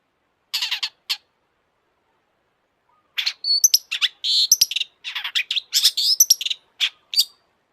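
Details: A long-tailed shrike in full song: a few rattling notes, a pause, then a long varied stream of harsh buzzes, chatters and thin high whistles.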